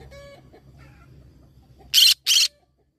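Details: A green-cheeked conure parrot calls twice in quick succession, two raspy, broadband squawks about a third of a second apart, preceded by faint, quieter tonal bird sounds.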